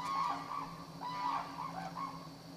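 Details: Black-necked crane at Akan International Crane Center, January 8, 2006, giving three short, rising honks with bright overtones, a faint hum running underneath.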